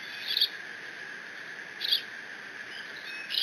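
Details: Lone bald eaglet in the Decorah nest, mantling a fish its father delivered, gives high thin squees. Three clear piping squeaks about one and a half seconds apart over a steady hiss.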